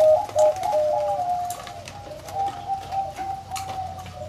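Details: Several deep-voiced zebra doves cooing together: overlapping short notes and long rolling trills run through the whole recording, with a low background hum.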